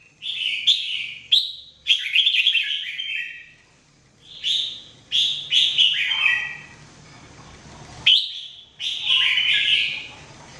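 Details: Mebah-style song of a red-whiskered bulbul used for training: clusters of crisp whistled and warbled notes in three or four groups, each beginning with a quick rising note, with a pause between groups and a soft background hum.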